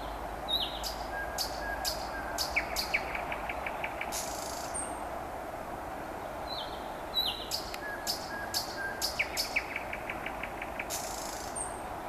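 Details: Common nightingales on a May evening near Vyazniki sing the same phrase twice: sharp clicks, a few whistles and a fast, even trill of repeated notes, with other birds calling and a steady background hum.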